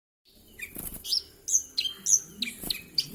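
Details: Javan bush lark singing actively in Kediri, a fairly faint run of high, sharp chirps and short descending notes, spaced irregularly about twice a second, with a low hum underneath.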